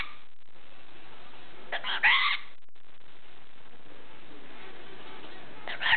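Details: Severe macaw after bath time, with an oatmeal snack: one harsh, raspy squawk about two seconds in and another beginning right at the end, over a steady background hiss.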